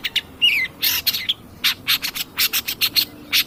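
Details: Long-tailed shrike, lively cendet pastol, used as a lure to provoke other birds. One slurred whistle opens, then harsh rasps and a steady run of short scratchy notes about every fifth of a second.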